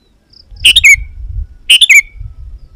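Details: Sooty-headed bulbul, used as a calling bird for wild bulbuls. Two rich phrases, each a burst of chirps ending in a clear falling whistle, over a steady low rumbling background.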